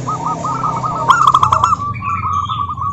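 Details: Local zebra dove singing, used as a lure to prompt other doves to sing: a row of soft staccato cooing notes, then a loud burst of rapid rolled notes and further coos, over a low steady hum.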